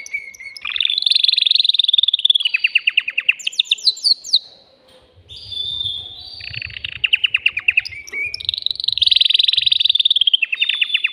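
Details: Excited caged male canary singing to stimulate a female for mating, also played to train young birds: long, loud, high rolling trills and rapid repeated chirps, with a brief quiet pause midway and a faint low rumble behind.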